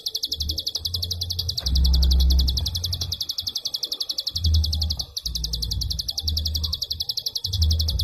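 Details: Prinia giving rapid klik calls, long dense bursts with almost no pauses, used as a master recording for training songbirds; sharp high ticking repeated about four times a second throughout, with low thumping noise underneath.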